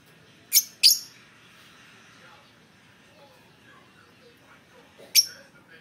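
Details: Lovebird giving three short, shrill, high-pitched chirps: two close together near the start, then a single chirp after a long quiet pause, over a faint background hum.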